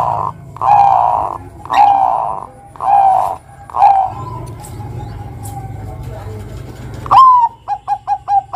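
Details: Bangkok-type zebra dove song used as a lure to prompt young doves to sing, in the kuwor style. Rough, buzzy coos repeat about every second, then a rising note and a quick run of short staccato coos at the end.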